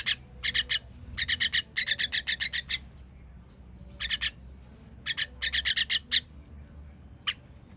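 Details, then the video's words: Feeding time for baby birds on 21.06.23: long volleys of rapid scratchy rasps, then a quieter gap before fresh bursts and a lone final call. "Baby bird baby bird feeding"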